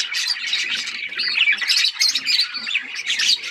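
Budgerigars warble continuously, a dense, scratchy chatter of high chirps, clicks and squawks with quick whistled notes, several birds overlapping without pause.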